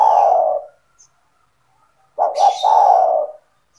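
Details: Spotted dove kept by its owner, calling well, intended to lure other doves: the end of one long coo, a pause, then a full phrase of two short notes and a long coo, with a brief high rustle at its start.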